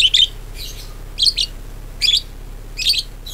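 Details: Budgerigar chirping on a lure recording meant to get other budgerigars singing: bright, high chirps in short clusters, roughly every three-quarters of a second, over a low steady hum.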